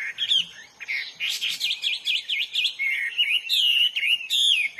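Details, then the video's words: Wild Hwamei in full song, pouring out a fast medley of clear whistles, quick repeated V-shaped notes, buzzy bursts and smooth descending slurs, loud and continuous for nearly five seconds. "burung HWAMEY GACOR DI ALAM LIAR"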